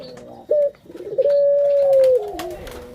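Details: Captive Barbary dove giving a lure call to stimulate other birds: a clipped opening note, a short rolling flutter of coos, then a long flat hoot of about a second, over a little room noise.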